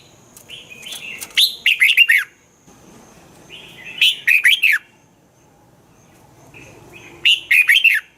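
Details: Caged red-whiskered bulbul song, played to stimulate other caged birds; three loud phrases of rich, bubbly whistled notes, each about a second long, spaced roughly three seconds apart, with softer chatter between.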